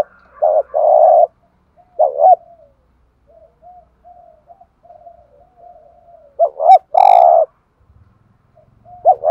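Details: Decoy spotted dove in thúc gù style, calling to provoke wild doves: two burry coo phrases separated by a long stretch of faint, soft intermittent hooting.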